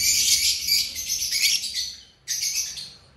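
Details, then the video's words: Rawalpindi aviary birds chirping, a packed burst of shrill high twitters that stops for a moment and then returns. "Happy birds chirping"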